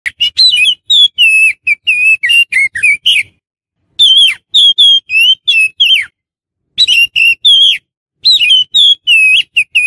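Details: Oriental magpie-robin used as a lure for wild magpie-robins: loud clear whistled phrases, sliding and rising notes mixed with short chirps, delivered in bursts separated by brief pauses.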